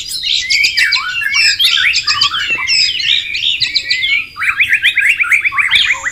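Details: Wild white-rumped shama beside running water sings a dense, rapid medley of chattering and whistled notes, closing with a run of quick repeated downslurred whistles.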